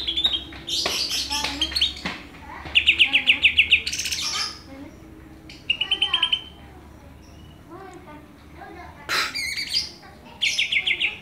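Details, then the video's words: Greater green leafbird song, Banyuwangi versus Kalimantan birds compared for song content: varied high whistles broken by fast buzzy trilled bursts of repeated notes, several short stuttering series, scratchy chatter between phrases. "Bongkar isian, Cucak Ijo Banyuwangi vs Cucak ijo Kalimantan"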